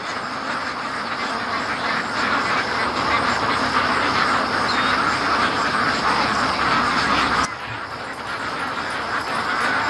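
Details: Large free-range domestic duck flock coming home from the lake: a continuous dense chorus of overlapping nasal quacks, steady and loud, with a brief dip near the end and a man laughing nearby.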